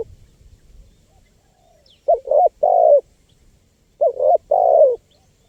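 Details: Spotted dove calling vigorously, used to lure wild birds: after a quiet start, two low hooting three-note coo phrases, the last note longest and slightly falling, about two seconds apart.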